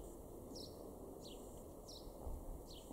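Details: Male house sparrow calling in a garden at Weener, East Frisia, northwestern Germany, in April 2021. Four sharp descending cheeps come at a steady pace of roughly one every 0.6 seconds against constant low-frequency ambient hum.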